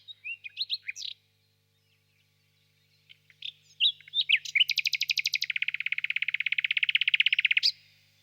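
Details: Nightingale singing on a warm spring evening in a birch grove: a few separate whistled notes, a pause, then a long, fast, even rattle of sharp repeated notes lasting about three seconds.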